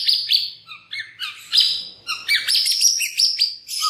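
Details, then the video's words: Short, loud phrase from a white-rumped shama, meant to provoke other shamas to sing with open beaks: rapid ringing chirps and high whistles run together almost without break, ending on a low whistle. "cukup 3 MENIT SAJA, murai batu MANA SAJA Bakalan ikutan RAME dan BUKA PARUH dengan pancingan ini"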